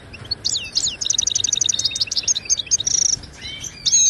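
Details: High, lively goldfinch song from Morocco, meant for training caged birds; a rapid run of repeated chirped notes like a rattle, then a clear sustained whistle and a few tinkling calls.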